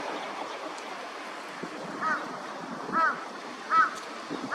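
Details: Northern Shoveler, a winter visitor at a park pond (Junsai pond green area, Chiba, Japan) in January 2024, gives four short, nasal, hollow notes about a second apart, the later ones louder, over a steady rush of wind or water.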